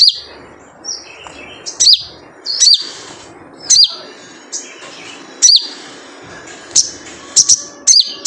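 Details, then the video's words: Crimson sunbird, wild, giving the 'jrejet cuit' call used to lure other sunbirds into song: loud, sharp, high chirps with downward twists, repeated irregularly, some in quick doubles, over a light hiss. "Jrejet Cuit Suara Panggilan Khas Sogon Liar untuk pancingan sogon agar gacor"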